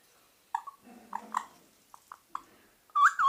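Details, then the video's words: Pet parakeet whistling indoors: a few short, soft mid-pitched notes and clicks, then two loud, bending whistles that rise and dip at the end. "Parrots natural funny sounds"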